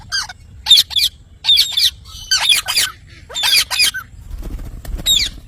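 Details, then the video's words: Parrot producing clustered bursts of harsh, noisy squawks in four or five groups about a second apart, each burst made of several rapid notes, with a faint low rumble near the end. "parrot natural sound mithu"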